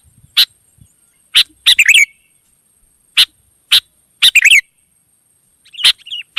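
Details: Wild sooty-headed bulbul responding in song: isolated sharp clicks mixed with a few bubbly chirped phrases, irregularly spaced, plus faint low rustling and a steady high hum.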